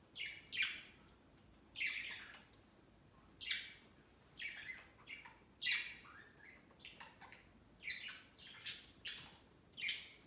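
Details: Pet budgerigars flocking on a large Christmas tree set beside their cage on Christmas Day, their first Christmas: bursts of bright, scratchy chirps come irregularly every second or so, some doubled, in a quiet room.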